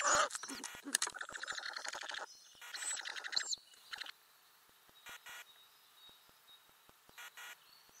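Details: Ural owl nest box with adult birds and growing chicks, May 2020, camera under the lid; a dense run of rapid rasping, crackling pulses for about four seconds, then a few faint hissy bursts amid soft clicks.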